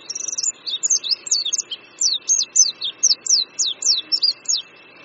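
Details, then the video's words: Oriental white-eye perched on a branch above a creek at Qingdao University, Qingdao, Shandong, China, in spring, singing a rapid high twittering run of sweeping slurred notes, about four per second, over a steady faint hum. "Oriental White-eye Singing"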